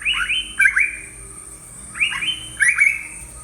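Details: Yellow-browed bulbul in Sri Lanka giving two bursts of short, slurred chirps that swoop down and then up, with a steady high whine throughout.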